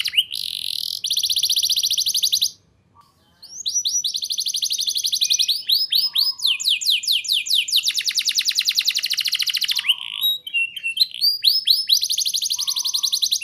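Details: Singing canary used to prompt young birds to sing, rolling tours of fast high trills and sweeping upslurs, one brief pause after two seconds, then long rattling rolls and soft low whistles.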